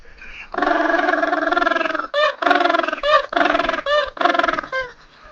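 A penguin gives a loud, harsh braying call: a long nasal, donkey-like bray followed by several short, rasping bursts, each about half a second, against a quiet background.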